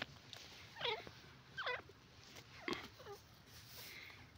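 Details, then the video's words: Yellow francolin, or teetar, voice: faint hooked, swooping notes repeated roughly once a second, with several louder harsh notes among them, over a low background hum. "teetar ki awaz,yellow francolin voice"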